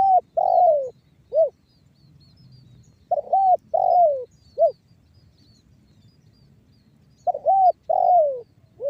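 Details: Spotted dove lure bird in the banggo bocor song style, meant to set other doves calling: three hoarse cooing phrases roughly every four seconds, each of short, drawn-out falling and clipped notes, with faint low rumble between.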